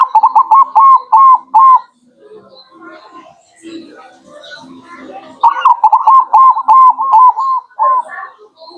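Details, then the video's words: Local zebra dove lure song: rapid series of clear, hooked coo notes around a steady pitch, a quieter gap with scattered chirps, then a second long burst of quick repeated coos. "Pancingan burung perkutut lokal"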